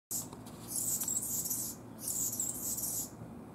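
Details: Anna's hummingbird singing two long scratchy, buzzy, very high-pitched phrases, each about a second long, with a short pause between them and thin squeaky notes inside.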